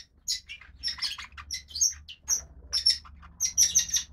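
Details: Brood of five young captive red-rumped parrots, lutino and pied-dilute females, in the nest: a busy jumble of high, scratchy chirps and squeaks from several nestlings, with a steady low hum beneath.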